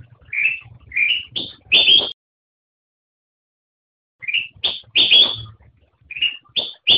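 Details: Black-crested bulbul, known locally as kutilang emas, singing short phrases of bright whistled, slurred notes around the upper-middle register, each phrase of four or five notes ending in a louder burst, with a two-second pause between phrases.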